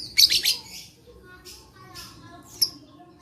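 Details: Lovebird chatter used to coax quiet lovebirds to sing: a quick burst of three or four piercing, shrill notes at the start, then a few scattered thinner squeaks over low background noise.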